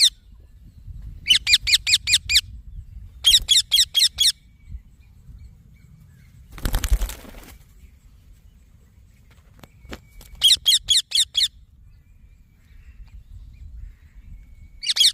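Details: Green baby parrot chirping in four short bursts of rapid, high, harmonic chirps, each burst four to six notes. Quiet gaps in between, a brief broadband rustling clatter midway, and low background rumble.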